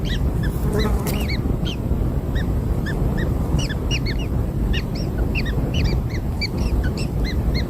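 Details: Newborn kingfisher chicks being fed black insects, giving short arched squeaky calls repeated several times a second, some overlapping, above a constant low rumbling background.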